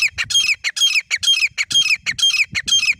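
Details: Pair of grey francolins, local name teetar, recorded for use as a partridge hunting lure. Harsh, loud, rasping notes are repeated rapidly, about ten bursts in three seconds, in an even rhythm. The background is quiet.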